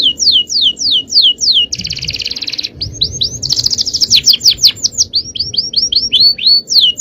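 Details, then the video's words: Male canary singing a long, powerful Indonesian-style cengkok song: rapid series of repeated downward-sweeping whistles, broken by a dense buzzy trill, then more quick swept notes in varied phrases. "Aksi Kenari||Cengkok Jawara||Full Power Canary Action||Cengkok Champion"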